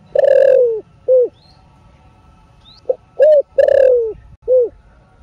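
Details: Spotted dove repeating its cục cúc cu phrase in the thổ sấm đồng style, played to stimulate caged doves. There are two phrases: the second opens with short clipped notes, then a long hoarse slurred note and a round final coo.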